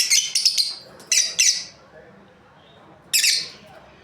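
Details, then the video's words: Breeding pair of lovebirds giving rapid bursts of high, scratchy chirps in quick runs, then silence, then one more harsh shriek. "Happy lovebirds chirping sounds| breeding pair"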